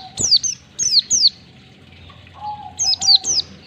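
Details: Oriental white-eye ngalas song, one-to-two-beat style, used to train caged birds: sharp high downslurred notes in pairs and threes, repeated in bursts, with a lower steady whistle between groups.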